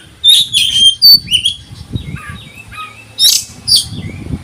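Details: Oriental magpie-robin, 'konslet' song style claimed to make other birds agitated: rapid loud high whistles and harsh chirps, then softer short downslurred notes and two more sharp bursts, with low rumbling background noise.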